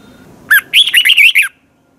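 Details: Single song phrase of a Thai caged Red-whiskered bulbul teacher bird: a rising whistled note, then a quick run of five warbling, slurred notes, lasting about one second.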